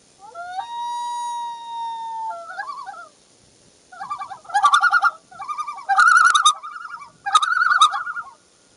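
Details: Common loon with its chick on a June 2, 2015 morning: a long, steady, pure wailing note held nearly two seconds, then bursts of rapid, quavering tremolo notes repeated in several loud phrases over a quiet background.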